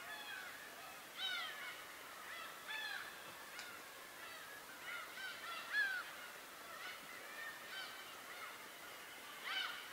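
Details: Wild birds on Tobishima giving scattered mewing, slurred calls at a moderate distance over steady background hiss, some notes rising and others falling.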